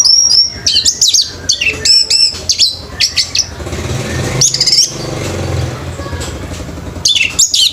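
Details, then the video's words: Orange-headed thrush performing at a bird singing competition, delivering fast, varied high whistles, slurred chirps and twittering phrases in quick succession, a brief lull, then more bursts over a low rumbling background. "ANIS MERAH PUNCAK SENI BIRD COMPETITION"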